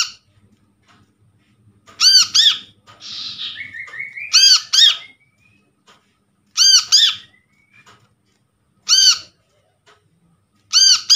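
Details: Brown-throated sunbird calls sourced from a trapped bird to get silent birds calling: loud paired and single ringing arched notes repeated every two to two and a half seconds, plus a long thin rising whistle and buzzy fuzz between.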